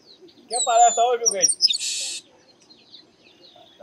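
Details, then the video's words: Chestnut-capped blackbird singing in the sertão of Bahia, northeastern Brazil: two nasal, harmonic notes, then a few bright high notes, ending in a harsh, dry buzz of about half a second. Faint chirps follow. "Canto Do Garibaldi"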